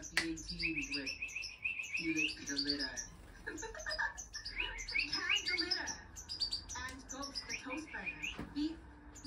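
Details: Hand-tame European goldfinch singing a rapid, high twittering song of short chirps and trills, with a person's voice talking in the background.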